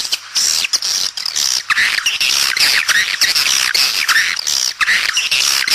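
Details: Swiftlets recorded outdoors, used as a mating lure call, in a dense chorus of high, buzzy twitters and chirps, overlapping in rapid bursts with brief pauses between them.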